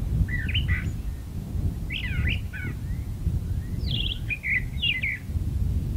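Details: In a magnolia tree, a brown thrasher sings scratchy, warbled phrases with rising and falling slurs. Each phrase is separated by brief pauses, and steady low-pitched background noise is present throughout.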